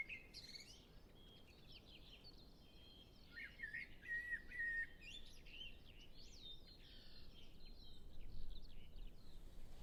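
Common blackbird song: quiet fluted whistles mixed with rapid high twittering phrases, over a steady low rumble of background noise.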